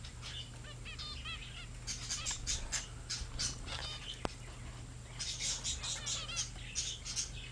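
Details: Zebra finch youngsters, grown up, recorded 15 February 2009: quick nasal beeps and trumpet-like honks in clusters, mixed with rustling bursts and a sharp click midway, all over a continuous low hum.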